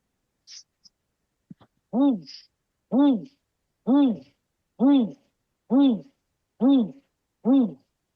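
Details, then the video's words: Great Grey Owl giving a series of seven deep, arched hoots, each rising and falling, spaced about a second apart; a few faint clicks open the recording. "Let me play everybody the sound of the great gray owl."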